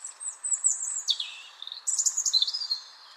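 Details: European Robin singing a high, thin, slightly scratchy phrase of sliding whistles and quick warbling trills, faster between notes than a blackbird, with pauses between phrases and a brighter rapid burst after; a common Irish song of mornings and evenings.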